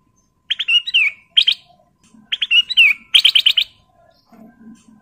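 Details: Male Sooty-headed bulbul in breeding condition calling a female: two bubbly, warbled phrases with slurred notes, then a fast run of five repeated sharp notes near the end, followed by a soft low murmur.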